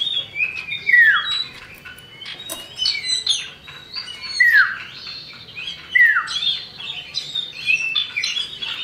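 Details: Male and female common iora used to coax birds into song, the female calling the male. Descending whistled phrases repeat every second or two, mixed with sharp chips and high twittering.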